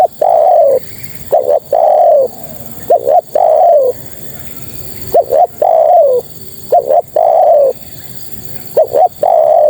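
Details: Spotted dove, a female calling to males; loud repeated three-part coos, two short quick notes followed by a long slightly falling coo, the phrase repeated about every two seconds, with faint background hiss.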